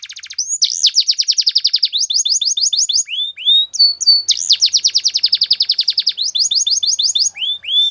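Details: Belgian canary training song for young birds, made of extended fast rolling trills, each followed by a few slower descending chip notes, the pattern repeating twice with a short pause between.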